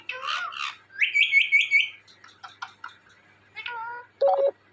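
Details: Indian ringneck parrot vocalising: a harsh opening note, then a quick whistled trill of four or five pulses, then choppy speech-like syllables and two short nasal, chattering notes at the end.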